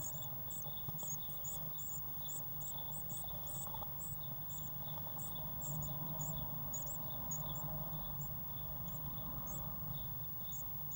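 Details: Eurasian blue tit nestlings in a nest box, 1 June 2016, give sparser high, thin squeaks, busier at first and then thinning out, over a strong low steady hum.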